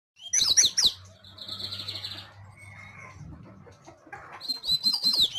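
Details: Double-collared seedeater (coleiro) singing: a burst of rapid, high twittering notes at the start, a quieter stretch with faint buzzy sounds, then another fast run of sharp chirps at the end.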